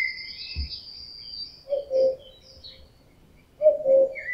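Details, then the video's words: Common cuckoo in summer, the male's loud cuckooing of the mating season: two two-note cu-coo calls, the first note higher and the second lower, about two seconds apart, with faint high chirps of other birds behind. "Kukułka - odgłosy kukułki"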